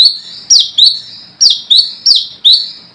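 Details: Brown-throated sunbird, ngalas form, calling out rivals as a lure: seven shrill, high, slurred chips spaced unevenly over three seconds, each ringing briefly.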